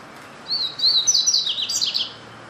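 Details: {'caption': 'Double-collared seedeater song: a quick, high-pitched run of thin whistles and buzzy chirps, rising in pitch midway and running for about one and a half seconds.'}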